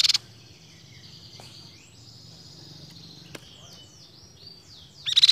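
Thin, high whistled notes slide and waver in a soft continuous stream, opened and closed by loud, harsh chattering bursts.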